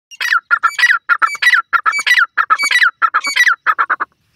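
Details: Black francolin, also known as kala teetar or Irani partridge, calling at high speed: loud, harsh, grating notes in rapid clustered bursts, repeated steadily for about four seconds against a silent background.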